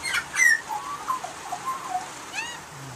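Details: Australian magpie song: a loud squeaky opening note, then a soft meandering warble of fluted tones, ending with a faint rising call.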